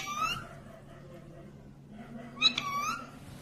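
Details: Talking green ringneck parrot, original natural audio: two separate high, nasal, word-like vocalisations, one at the start and one near the end. A quiet gap falls between them, and a faint low background hum runs throughout.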